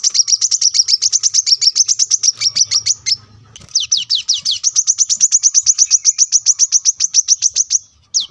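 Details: Brown-throated sunbird (kolibri kelapa) in gacor singing, recorded beside a road for training cage birds: rapid, high, thin chips repeated about five per second in long runs, with a brief pause after three seconds.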